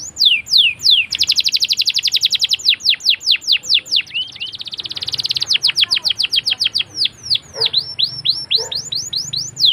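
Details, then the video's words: Canary in long rolling song used as a teaching lure for young canaries: sharp falling whistles, then an extended fast trill, then further series of high descending notes, all bright and continuous. "PALING D CARI UNTUK PANCINGAN KENARI PAUD BELAJAR BUNYI!!"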